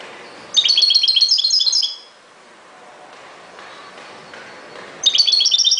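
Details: A European goldfinch delivers a lively high twittering phrase of quick tinkling notes, falls silent for about three seconds, then starts another bright burst.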